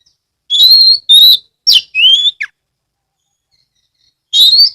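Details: Oriental magpie-robin (kacer) from Ambal, Kebumen, Central Java, recorded as a lure to set other magpie-robins singing; clear steady whistles, falling slurred notes and a sharp downward note, then a pause and one more whistled phrase.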